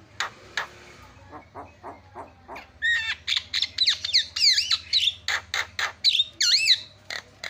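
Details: Javan myna calls used as a lure to make other mynas call: a run of short harsh clicks, then a busy string of squeaky whistled notes with up-and-down slurs, all loud and close.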